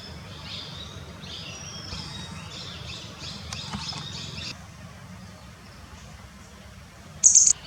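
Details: Grey wagtail wintering near flowing rocky forest streams in Kanha National Park, India: a series of sharp, high, thin notes through the first half, then quiet, then a loud high burst near the end.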